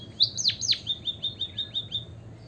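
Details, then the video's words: White-headed munia recording used as a lure to prompt other birds to sing: a few sharp, high down-slurred chirps, then a quick run of short, thin, evenly spaced high notes, about nine in two seconds. "pancingan emprit kaji biar gacor - suara pancingan burung pipit berkicau agar ikut bernyanyi"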